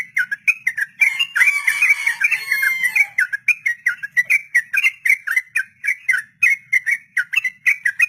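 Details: Sooty-headed bulbul, long 'ropel' song for training untamed captive birds: rapid whistled notes about four per second, with a brief harsher, noisy burst mixed in during the first seconds.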